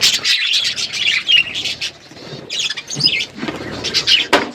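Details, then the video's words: Pet budgerigars on a winter morning give bursts of bright high chirps and warbled chatter, pausing briefly midway before resuming with overlapping squeaky notes. "Budgies enjoying winter morning birds chirping sounds"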